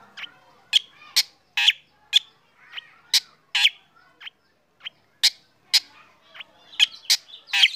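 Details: Black drongo in morning song while sunned, prompting other birds to join; a steady run of loud harsh chips and rasping notes, about two per second, irregularly spaced.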